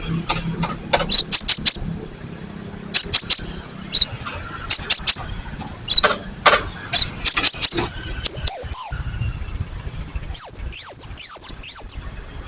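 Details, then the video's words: Cinereous tit call used as a master recording to provoke replies: clusters of sharp high doubled notes, then longer thin descending whistles repeated four times near the end, with light background noise throughout. "GELATIK BATU GACOR ??? SUARA masteran burung AMPUH"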